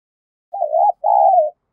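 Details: Spotted dove of the 'giọng thổ' voice style: a single two-part coo, a wavering first note then a longer even coo easing down in pitch, in quiet surroundings.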